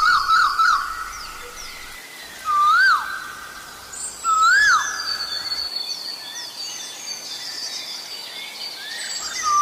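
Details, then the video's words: Asian koel, recorded during Sinhala and Tamil New Year, giving loud, clear, arched whistled notes about two seconds apart, with thin high twittering from other birds behind. "Koho koho 🐧 | sound of the Asian Koel"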